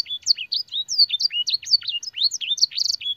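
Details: Canary master song with blackthroat and sanger phrases: a lively, continuous chain of sweet slurred whistles, rising and falling notes and short trills, strung tightly together for three seconds in a quiet setting.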